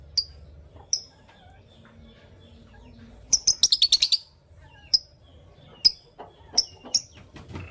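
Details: Morning chirping of Fischer's and masked lovebirds: scattered sharp, very high single chirps every second or so, broken by a rapid burst of shrill chattering notes, with faint background rustling.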